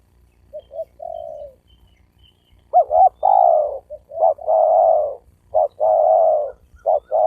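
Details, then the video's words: Spotted dove cooing, used to provoke males and females to coo and fight: a few faint short coos, then loud phrases of quick paired notes each followed by a long, drawn, slightly falling coo, repeated in close succession. "Tiếng chim cu gáy kích bổi kích trống mái gáy gù đánh nhau"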